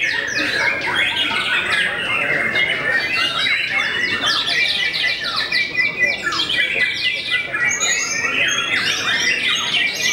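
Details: Renowned white-rumped shama, said to cow many rival birds, in a long nonstop song of crisp whistled notes, rapid trills and scratchy chatter packed closely together.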